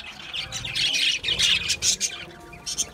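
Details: Budgies eating a seed mix, giving harsh, scratchy squawks and chirps in uneven bursts, loudest around the middle, with quieter chatter in between.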